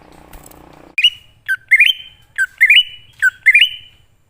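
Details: Greater green leafbird from the wild singing, used as a lure to call other leafbirds: after a brief burst of low noise, clear phrases of a dipping note then a stepped, rising whistle with a held end, repeated rhythmically.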